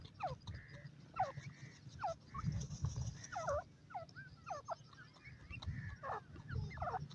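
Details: Grey francolin chicks playing in a forest: a rapid series of short, squeaky, downward-sweeping notes mixed with brief, high, steady whistled peeps, repeated irregularly throughout over a constant low rumbling background.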